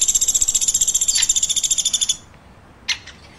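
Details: Woodpecker chirping: a high, rapid pulsed trill of about a dozen notes per second runs for two seconds, then stops abruptly, followed by one sharp click.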